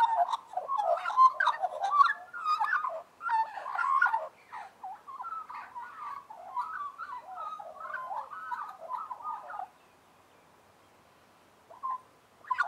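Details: Several Australian magpies warbling together in harmony: a dense, jumbled run of throaty, gurgling and fluting notes for about ten seconds, then a pause and a brief resumption.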